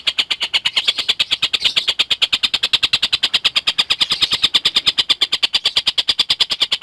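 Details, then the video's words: Collared kingfisher in full song for lovebird tutoring: fast, metronome-like series of strident clipped notes, roughly three each second, continuing without pause at a constant high pitch. "Burung Tengkek Buto Gacor"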